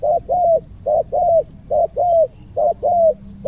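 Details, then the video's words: Spotted dove, the decoy bird in a trapping session at about 5 pm, cooing in the big-voiced 'ku-ang' style. Regular paired coos, a short note and then a longer falling one, repeat four times without other sounds. "ต่อนกเขาใหญ่ เจ้าทีเด็ดสายล่า จัดเสียงใหญ่ คูอ่างให้อีกแล้ว"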